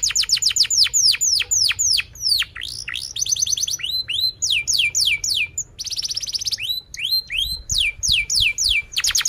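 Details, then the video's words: Canary singing at length: fast falling whistled sweeps repeated in quick series, bursts of rapid buzzy trills, and varied tweeting phrases delivered almost without pause. "kenari gacor panjang Cuit Cuit EMOSI"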